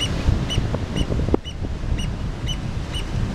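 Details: Black oystercatchers hanging out at the mouth of Lobo Canyon, Santa Rosa Island, Channel Islands National Park, California: sharp, high piping whistles about twice a second over heavy surf or wind rumble, with one loud knock midway.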